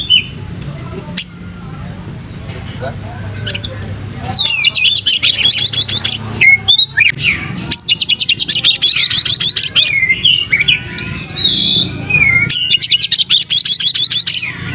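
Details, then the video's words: Oriental magpie-robin with fanned tail: quiet scattered notes at first, then long stretches of rapid, rhythmic chattering and twittering mixed with high whistles, with short breaks between bursts. "pancing Kacer gacor buka ekor"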